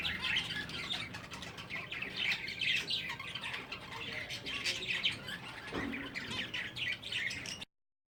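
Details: Breeding finches chirp and twitter rapidly in an overlapping high chorus. A low thud sounds near the end, just before the recording cuts to silence.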